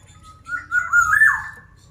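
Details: Black-naped oriole singing busily, a wavering liquid whistle that climbs and warbles before trailing down, with a low droning hum behind it.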